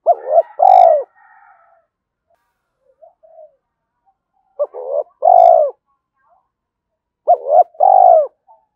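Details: Spotted dove calling to rouse a decoy bird: three low coo phrases spaced about two and a half seconds apart, each a quick double note then a drawn-out falling coo, with faint soft notes between the phrases.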